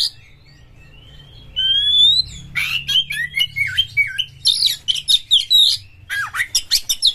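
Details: Aggressive oriental magpie-robin (kacer) singing to stimulate other kacer: after a quiet start with low hum, clear rising whistles give way to rapid harsh, buzzy bursts and sliding notes, densely repeated to the end.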